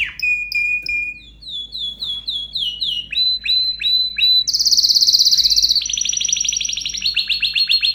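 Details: Excited canary singing vigorously: bright whistled notes repeated in quick series, shifting to higher, faster buzzy trills and rapid rolling phrases near the end, with no other sounds.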